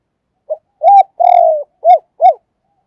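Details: Spotted dove kept as a decoy bird, calling. One full phrase of five low cooing notes: a short note, an arched coo, a long drawn coo sliding down, then two arched coos. No other sounds.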